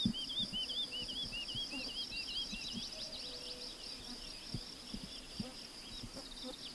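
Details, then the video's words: Woodlark singing, a bird often heard high in the sky: a string of looping, curled whistled notes repeated in a steady series about three times a second, over a constant high hiss and low rustling. "Lerka śpiew"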